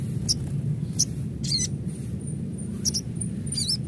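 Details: Adult crimson sunbird calling: two rapid, buzzy bursts of high zigzag notes mixed with brief thin high chips, over a low background rumble.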